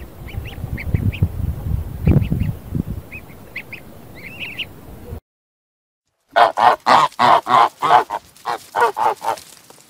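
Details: Farm geese. The first part holds low rumbling noise with faint high notes, then after a short silence comes a run of loud, nasal honks repeated about three times a second.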